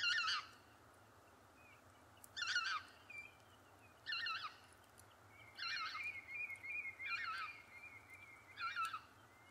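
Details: Lesser white-fronted goose repeating six high, quavering yelps at irregular intervals of one to two seconds, while a thin, level whistle runs underneath through the middle of the sequence.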